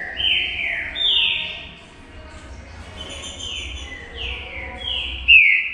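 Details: Green-winged saltator, known as trinca-ferro, singing in a song duel; repeated clear whistled notes sweeping downward, alternating louder and softer phrases, with a low hum in the background.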